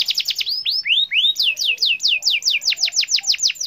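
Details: Canary singing to encourage quiet canaries, a bright sequence of descending whistled sweeps, a few lower slurred notes, then a steady run of repeated falling whistles at about four per second.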